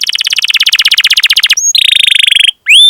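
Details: Canary song used as training audio to prompt other canaries to sing: fast repeated trills around 3-4k, then a sustained buzzy rolling trill, ending with a rising whistle.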